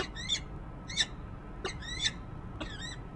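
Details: At a nest-cam ledge on the Rachel Carson building, Harrisburg, PA, on 19 January 2013, a peregrine falcon gives four harsh, squealing calls over low city rumble. It is thought to be the resident female, possibly calling to a male off camera.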